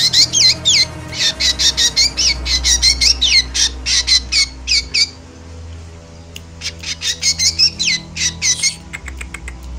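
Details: Emotional chattering of a Javan black drongo, for luring birds in moult: a run of harsh, bending squawks for five seconds, a short gap, then another burst of clipped rasping and whistled notes, over low hum.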